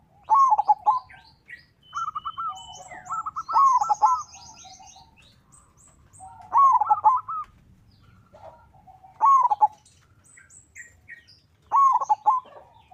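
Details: Zebra dove song, local bird, used to provoke other doves to sing; bursts of quick, bubbling coo notes at regular intervals, with fainter overlapping chirps and calls from other birds behind.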